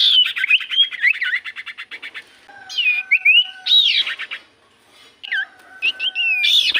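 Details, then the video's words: Common iora lure song meant to make other birds reply: fast chattering whistled notes, then looping slurred whistles in separate phrases, with a steady faint tone underneath. "Pancingan Burung sirtu cipoh gacor sekali putar Burung sirtu cipoh Diam Langsung nyaut"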